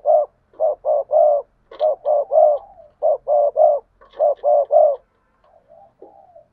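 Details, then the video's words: Spotted doves cooing as a pair in the two-ending style (2 hậu). Dense runs of short, rounded coos in groups of three, overlapping and nearly continuous for five seconds, are followed by a few faint trailing notes. "tiếng cu gáy đôi. tiếng cu gáy 2 hậu"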